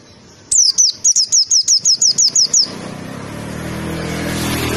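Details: Pleci tembakan song for masteran: roughly eleven crisp high notes sliding downward at a steady fast pace, then louder hiss and hum.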